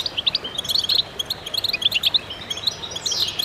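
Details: Concert of many goldfinches used to stimulate birds: jangling high chirps in rapid clusters, ending with a descending slurred whistle.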